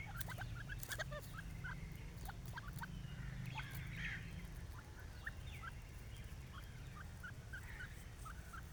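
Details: A pair of grey francolins in grass gives short, scattered chirping and clucking notes, some in quick doublets, over a steady low rumble of wind or handling noise that eases after about five seconds.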